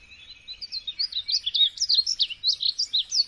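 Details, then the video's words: Continuous bird warbling of quick, high, bouncing notes that rise and fall, delivered rapidly over a faint low rumble. "Birds singing"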